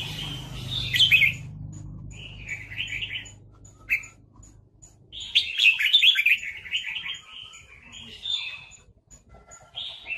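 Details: Caged red-whiskered bulbul used to lure and trap others while birds fight, giving repeated warbled, chattering phrases separated by pauses, with a low hum early on and faint ticking in the background.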